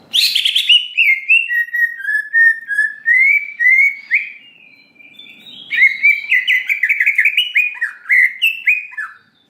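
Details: Lure recording of greater green leafbird song meant to excite birds into responding: drawn-out whistled phrases that dip and rise, then a faster sequence of choppy slurred notes.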